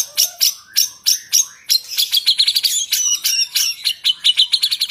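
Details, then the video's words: Murai batu (white-rumped shama) singing a full, varied song: rapid bright whistles and chattering notes in quick bursts, rising and falling, with dense trills toward the end. "MURAI BATU FULL ISIAN PACING EMOSI"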